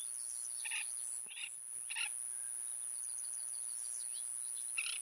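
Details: Oriental pratincole, an uncommon breeding summer visitor, recorded in Pingtung County, Taiwan, on 1 June 2023: short harsh chattering notes in scattered bursts, four spaced over five seconds, over a steady high hiss.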